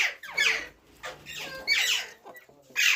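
A rose-ringed parakeet gives a run of harsh, high, squawking screeches, four or five rasping bursts in three seconds, in a small quiet room.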